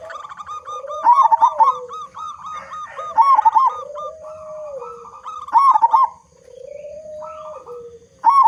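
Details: Loud local zebra dove, used to trigger song in other zebra doves, repeats rolling coo phrases with trilled bursts about every two seconds, while a lower smooth drawn-out cooing note sounds between them.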